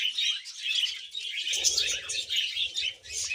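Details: Pet budgerigars giving happy sounds: dense, continuous high chirping and warbling chatter with quick twittering notes, steady throughout, with faint low rustling or movement noise in the second half.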